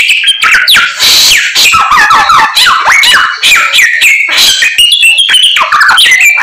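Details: A white-rumped shama in steady song, running through its complete fill-in repertoire of liquid whistles, falling slurs and quick clicking notes, sung densely without a break.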